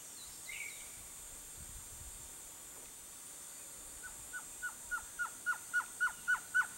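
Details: A male Blue-crowned Trogon sings a series of short, evenly spaced notes that grow steadily louder and quicken slightly, about four per second, over a steady insect hiss.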